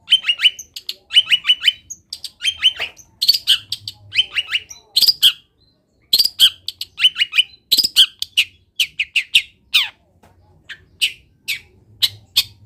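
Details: Long-tailed shrike delivering a varied song heavy with wild-bird imitations: quick strings of high chirps and scratchy squawks. Short runs are broken by brief pauses, with a low hum faintly in the background.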